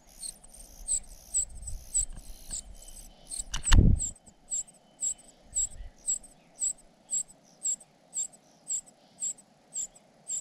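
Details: Cuckoo chick begging from its foster parents: repeated piercing squeaks, evenly spaced, with one sharp knock and muffled rustling partway through over a low background hum.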